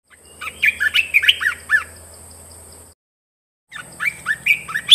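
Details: A red-whiskered bulbul (nok krong ta daeng, also described as a large bulbul) sings quick bubbly, warbled phrases of rich liquid notes, several per second, broken by a brief cut, over a faint steady high whine.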